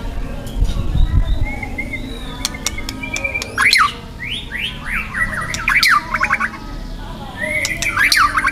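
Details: Wild young white-rumped shama singing loud, dense bursts of harsh material: short clicks, then rapid rising and falling whistled phrases and sharp chattering notes, with background noise.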